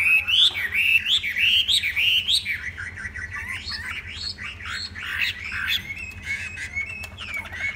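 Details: Song of a tame Chinese hwamei: a continuous rich warble of looping, slurred whistles that rise and fall rapidly, loud at first and then softening into quieter wavering notes, with faint low background hum.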